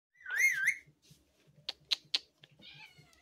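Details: Talking hill parrot kept as a pet: a loud wavering whistled phrase, then sharp clicks and short squeaky notes, with a faint low hum in the room.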